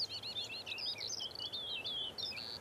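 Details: A Eurasian Skylark in the Mindel valley, Bavaria, Germany, sings its territorial song during its rising display flight, a continuous, high, rapid warble of twittering and trilled notes without pause, over faint rural hiss.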